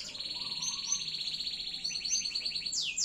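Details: Canary singing a long-duration loper-style song: a rapid, even, high trill of quick repeated notes runs without a break for three seconds, with a few higher notes on top and a swift descending sweep near the end.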